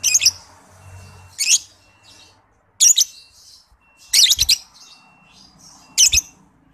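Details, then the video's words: Lovebird under five months old, a lure to get other lovebirds singing, utters loud rasping high chirps every second or so, one a fast stuttering burst, with soft twitters and a faint whine between. "PANCINGAN MASTERAN LOVEBIRD PAUD BALIBU"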